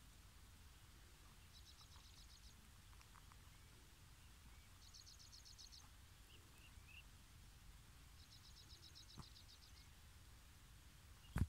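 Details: A pied kingfisher at Baray, Cambodia, gives three bursts of fast, high, chattering twitters, each about a second long, over a steady low rumble of wind or distant traffic.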